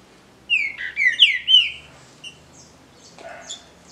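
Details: Green-winged saltator in a song dispute, a kept bird from a legal breeding of native fauna; one rich phrase of four or five loud slurred whistles, each sliding downward, lasting about a second, then quiet with faint high chirps.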